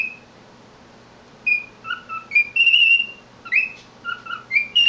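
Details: Male pet cockatiel singing to himself, a run of short whistled phrases alternating between higher and lower pitched notes with brief upward slides, after a quiet opening second.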